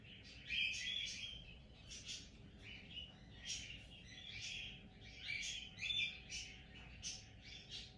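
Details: A sleepy cockatiel gives soft, scratchy chirps in short bursts, with brief pauses between them.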